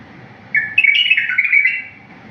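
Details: Clean wild-style bulbul song meant for teaching bulbuls: following a quiet start, a lively whistled phrase of linked, warbling notes that jump up and down for over a second, then stop abruptly.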